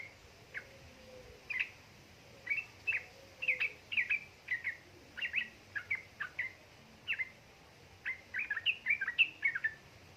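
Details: Female yellow-vented bulbul calling a male, meant to spur lazy birds into song; busy, rattling delivery. Sharp, bright chirps come singly, then in quickening clusters toward the end, over a steady background hum.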